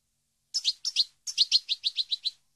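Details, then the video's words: European goldfinch, from a recording meant to teach song to captive birds: a run of short, high, two-note chirps, first in pairs, then nine quick twitters in a steady series, with clean silence around them. "Canto Para Educar Jilguero"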